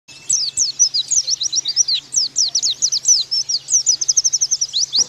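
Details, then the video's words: Oriental white-eye master song used to get young birds singing: a rapid, continuous run of high, thin, slurred chirps and twitters, many falling in pitch, delivered almost without pause, with a faint steady low hum underneath. "Pleci Bakalan Nembak Pake masteran ini!!!"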